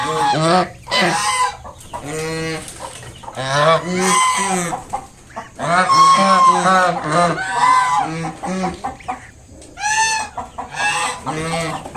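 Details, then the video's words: A mother swan with five newly hatched cygnets gives loud, nasal honking alarm calls in quick uneven bursts, several overlapping with short pauses, to drive off a person approaching her young. "Mother swan making sounds to protect her baby swans"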